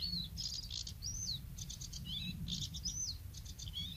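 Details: Bluethroat recorded at Woumen in 2018, singing a varied run of phrases: high whistled slurs, rapid metallic buzzy trills and short chirps, repeated in bursts over a steady low rumble of background noise.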